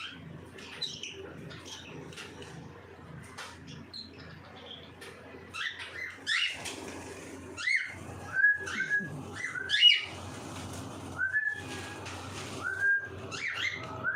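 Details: Cockatiels at feeding time, kept as pets: after a quiet, clicking start, loud upslurred whistled calls ring out about every second from the midpoint, mixed with soft chatter and a low background hum.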